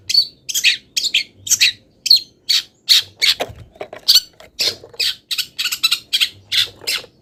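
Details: Long-tailed shrike, still in moult, delivering a harsh, continuous mimicry song: rough squawking notes repeated two or three per second for seven seconds, almost without pause.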